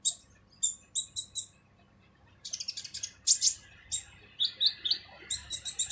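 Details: Harsh full training song from a purple-throated sunbird (kolibri ninja): bright repeated double chirps, a short silence, then a rapid buzzy trill and a series of high rising-falling notes.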